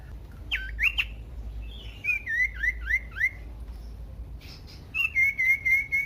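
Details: Common iora song played loud and varied to stir other ioras into singing: short sharp whistled notes, then a series of five descending slurred whistles, a pause, and a fast trill of repeated wavering notes.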